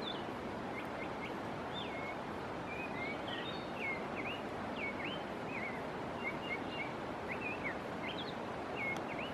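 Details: Chestnut-bellied Thrush at Minchoy, San Francisco, Putumayo, Colombia, giving short, high whistled notes, some rising and some slurred, scattered every second or so over a steady rushing background hiss.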